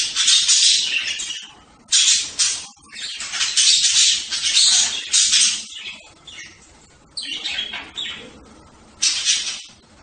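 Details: Noisy budgerigar squawking: dense, rasping bursts that crowd the first half, then separate loud outbursts spaced a couple of seconds apart.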